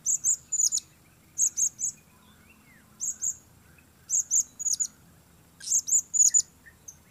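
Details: Blue-crowned hanging parrot giving very high, thin, squeaky chirps in tight bursts of two to four notes. The bursts repeat roughly every second, with a faint low hum and rustle beneath.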